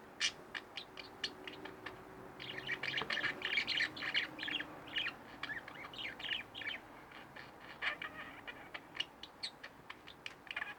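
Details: Two caged pet budgerigars: sharp single chirps spaced out, then a dense middle stretch of buzzy, warbling chatter, then more quick clicks and chirps.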